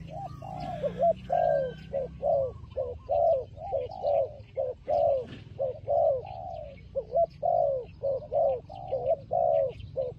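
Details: Turtle dove fighting, delivering a long, fast series of gruff low coos, short and drawn-out notes mixed almost without break; soft chirping of other birds in the background.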